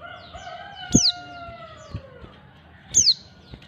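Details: Female white-eye calling to attract males: two sharp high descending notes about two seconds apart, with a long drawn falling tone in the background and light clicks.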